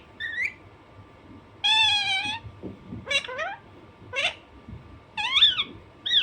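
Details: Pet Alexandrine parakeet, described as naughty, giving a long buzzy scream followed by several shorter downward-sweeping squawks and a final rasping call, spaced about a second apart over a low hum.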